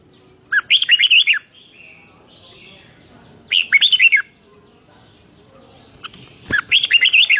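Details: Lively 'rik' song of a red-whiskered bulbul, 2023: three brief bursts of fluty, rolling notes spaced about three seconds apart, quiet pauses between and a sharp tap before the last phrase.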